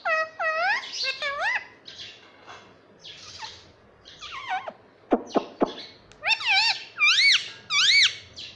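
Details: Talking parrot kept as a pet, heard in a quick run of loud, swooping, arched calls, some in rapid pairs, mixed with sharp clicks and a steady background hiss.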